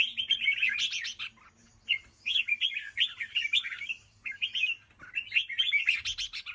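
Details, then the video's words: Red-whiskered bulbul giving 'ché' song: dense, busy bursts of sharp chirps and slurred warbling notes, coming in three clusters with short gaps between, over a faint low hum. "chào mào ché cực hay"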